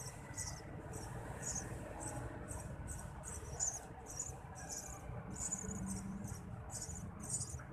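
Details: High, insistent chirping bursts from Eurasian tree sparrow chicks being fed by a parent, repeated steadily about twice a second over a low droning background.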